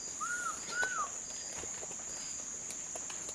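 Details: Twelve-wired bird-of-paradise (Seleucidis melanoleucus) during display at Nimbokrang in August 2019 gives two quick, arched whistled notes that rise then fall, over a steady high-pitched insect drone.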